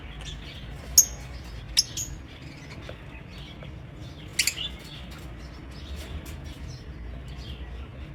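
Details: Pet lovebirds in an aviary: two piercing chirps about a second apart, then a short double squeak, amid a low murmur of softer twitters.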